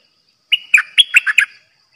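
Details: Bulbul used as a trapping decoy, singing from a cage: a brisk run of six liquid, warbled notes, some dipping downward, delivered in just over one second with no other sounds around.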